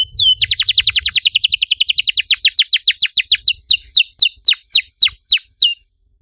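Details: Canary singing to prompt other canaries: a single whistled note opens a fast rolling trill of down-slurred notes that gradually slows into well-spaced sweeping whistles before ending.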